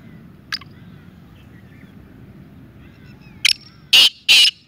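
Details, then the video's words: Black francolin (kala teetar) giving a harsh, grating call: a single rasping note, a pause, then a burst of three loud buzzy notes near the end, over low background rumble. "Amazing Voice Kala Teetar | Black Francolin"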